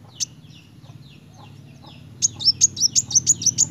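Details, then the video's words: Sunbird, local name kolibri wulung, singing 'gacor narung': a lone sharp chirp and soft faint twitters, then after two seconds a brisk burst of high, piercing, repeated notes about five per second; low hum throughout. "Kolibri wulung gacor narung!"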